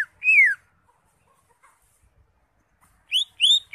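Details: Greater green leafbird with its crest raised, singing energetically: one long, loud, downslurred whistle, a quiet gap, then two short, bright, rising whistled notes.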